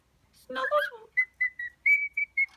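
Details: Caged cockatiel serenading a newly introduced companion indoors: a burst of rough, warbling chatter followed by short clear whistles, a few of them held slightly longer.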